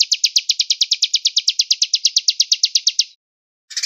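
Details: Velvet-fronted nuthatch, or pelatuk beras, singing the Cigun Gereja style with pauses and a far-reaching voice: around twenty evenly spaced bright high chirps, roughly seven per second, then a pause and the start of a short rattle.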